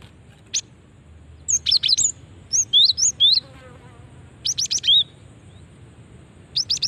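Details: Female cinereous tit call, used as a lure to draw quick responses from other cinereous tits; bright, high chirps and short upslurred whistled notes in tight clusters of two to four, spaced irregularly across several seconds, over a quiet background.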